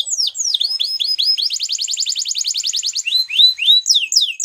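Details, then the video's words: Waterslager canary song of falling whistled notes leading into a fast, even rolling trill, followed by rising and falling slurred whistles, bright and high-pitched. "Canary Waterslager Singing"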